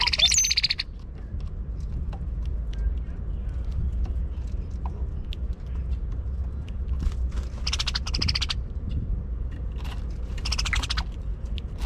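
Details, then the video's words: A mated cowbird pair at a feeder tray, male displaying while the female calls at him: three harsh, high rattling chatters, each under a second, at the start, near eight and near ten seconds, over a steady low rumble. "a noisy cowbird couple"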